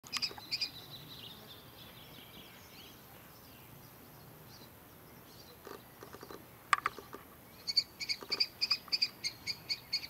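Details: Juvenile common kestrel, a fledgling of this year out of the barn nest box and down on the ground, calling for attention on a farm in early morning; after a quiet stretch, a rapid series of shrill high notes with scattered clicks.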